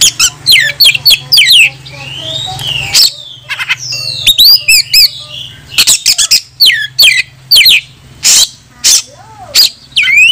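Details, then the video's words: Oriental magpie-robin singing to challenge opponents, used to provoke other birds into opening their tails; a dense, varied stream of sweeping whistles, upslurred notes and harsh chattered phrases, with one long gliding whistle and a faint low hum. "PANCINGAN KACER BUKA EKOR"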